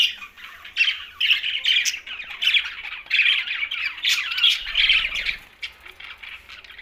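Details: Green budgerigars give a series of squawky chirps in pulses roughly every half second, with a soft low thud midway.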